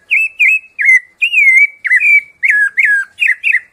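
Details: Rufous-bellied Thrush (sabiá-laranjeira) singing the 'piedade senhor' song type, used to tutor and warm up cage birds: a run of clear, slurred whistled notes, some rising, some falling, given in quick succession with short gaps.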